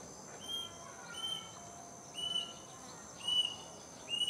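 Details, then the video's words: Plaintive cuckoo calling in the afternoon from a mango tree near a house: clear high whistled notes, each slightly rising, repeated about once a second, five notes in all, over a steady faint hiss. "Pernah Merinding Dengar Suara Burung ini?!! inilah si Burung Kedasih yang Penuh Mitos..!!!"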